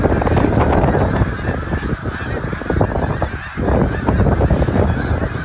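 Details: Migrating snow geese in Delaware, USA, heard as a massed flock. A continuous din of harsh, overlapping honking rises and falls, with a brief dip just after the midpoint before the clamour returns at full strength.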